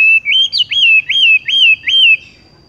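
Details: ["Horsfield's bush lark (wambie) gives five loud whistled notes, each rising then falling in a smooth arc. The series is evenly spaced and ends abruptly into quiet."]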